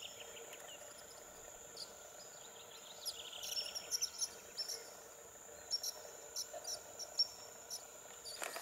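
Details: White-rumped sandpiper, a long-distance Arctic migrant wintering near the former Mutum Paraná, Rondônia, Brazil, calls: thin, very high, squeaky notes in short scattered bursts over a steady insect drone.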